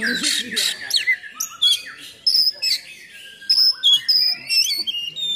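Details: Oriental magpie-robin giving a rough, provoking song for training others of its kind: a harsh, noisy opening followed by separate sharp whistled phrases and short high notes spaced with brief gaps.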